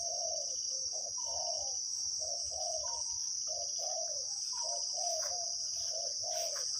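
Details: Wild spotted dove cooing with a deep voice, heard during decoy bird trapping: soft, low, hollow coo phrases repeated about every second, over a constant high-pitched insect drone.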